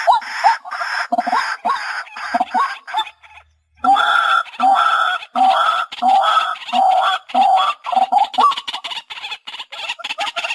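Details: White-breasted waterhen recording used as a hunting lure: loud, nasal, harsh croaking phrases repeated in rapid bursts, one short pause near the middle, then steady blaring calls again.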